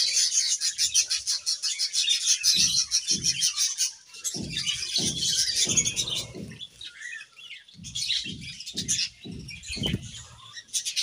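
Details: Budgerigars playing in a leafy bird bath on a sizzling day: steady busy chirps and twitters, with a run of soft splashing and leaf-rustling thuds about twice a second in the middle and near the end.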